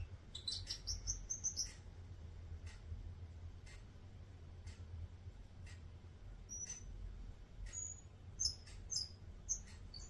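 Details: Bourke's parrot singing: a cluster of high whistled and chirping notes at the start, then scattered soft clicks and brief bright whistles near the end, over a steady low hum.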